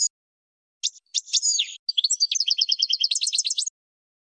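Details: European goldfinch song for training young birds: a clean, isolated recording of bright twittering notes, a few buzzy slurred phrases, then a fast run of paired chirps repeated about six times a second, with no other sounds.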